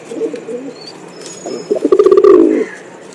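A pigeon gives soft, low murmuring coos, then a louder, throaty rolling coo that swells for about a second before fading. No other clear sounds.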